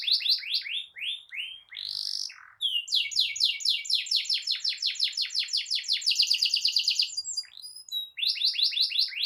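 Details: Canary belting out a long rolling song, played to train juvenile canaries and stir silent ones: quick repeated chirps, a burst of buzzy noise, then a long even trill of rising notes ending in fast rattling rolls.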